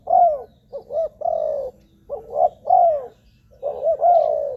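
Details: Low cooing of a spotted dove, played to lure wild doves. Paired phrases, a short pickup note then a long sliding coo, come in two quick groups with a gap between.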